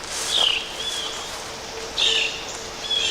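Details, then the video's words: Blue jays scold a person wandering the woods near an old hillside dump. They give harsh, slightly falling jeer notes in about four bursts over three seconds, with a faint steady hum underneath. "Blue jays are scolding me. You"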